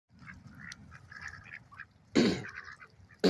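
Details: Ducks at a lake call loudly: soft nasal quacks scattered through the first two seconds, then two sudden, much louder harsh bursts near the end.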